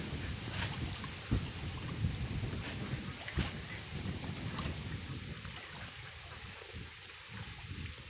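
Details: Low rumbling wind and water noise with a few scattered knocks and thumps fill the recording, and no animal calls stand out.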